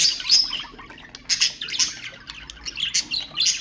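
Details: Pet budgerigars singing to stimulate other birds, heard as a shrill squawk followed by rapid, scratchy chirps and twitters that rise and fall in uneven bursts.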